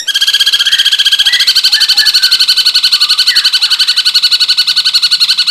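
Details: Cungkok singing hard in rapid, dense bursts for songbird tutoring: a steady machine-gun trill of bright high notes repeated several times a second throughout, with faint lower warbles underneath.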